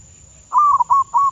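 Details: Trained decoy zebra dove from Thailand delivers a single phrase of three soft, slightly wavering coos, the first longest, in quick succession.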